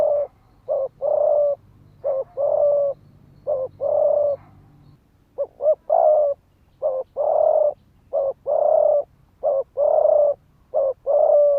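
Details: Spotted dove decoy cooing in the fast 'thúc gù' style meant to provoke rival males: a steady run of mellow, mid-pitched coos, short and long notes alternating with almost no pause. There is a low hum in the first half.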